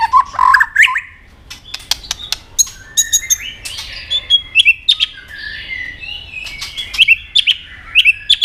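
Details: White-rumped shama, caged, singing competitively: a loud rising phrase, a pause with clicks, then soft varied whistles and sharp repeated high notes.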